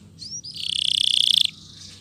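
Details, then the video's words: Canary singing with pauses, used as a lure to stimulate silent or lazy canaries and to tutor young birds of two to four months: a short rising whistle, then a rapid buzzy rolling trill held for about a second. "PANCINGAN BURUNG KENARI GACOR ADA JEDA"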